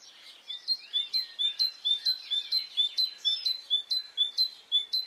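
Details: Birds singing on a spring morning in Brittany: a bright, fast series of short whistled notes repeated about twice a second, high and steady, with a clean quiet background.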